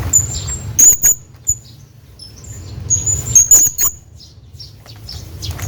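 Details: A calling hanging parrot, heard as a series of shrill, thin, very high squeaks, some doubled, scattered through the first four seconds. A low droning background sits underneath.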